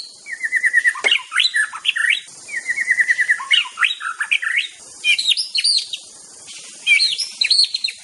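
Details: White-rumped shama of the Aceh type singing master song: rapid strings of short repeated chips followed by looping whistled flourishes, phrases repeated with short gaps.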